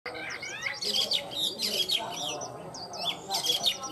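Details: Tame caged Chinese hwamei singing well: a dense run of high, buzzy, rapidly varied notes and short twisting whistles, with quieter lower sounds beneath.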